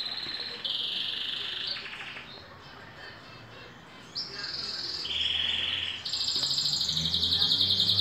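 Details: Green canary, two years old, in moult; separate sustained high trills with short pauses, some steady and some rapidly pulsed, and faint low background hum.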